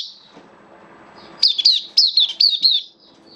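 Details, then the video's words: Oriental white-eye in a hobby cage, 11 September 2022, in slightly dipped form: a soft high note, then a quick run of about six sharp, down-slurred chirps in under two seconds, with light background hum. "Mata Puteh Kitaro Buka Sing"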